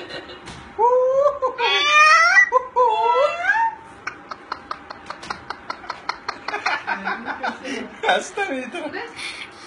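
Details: Very hand-tame Moluccan cockatoo indoors giving wavering, laugh-like swooping cries, then a quick run of sharp clicks and more voice-like chatter.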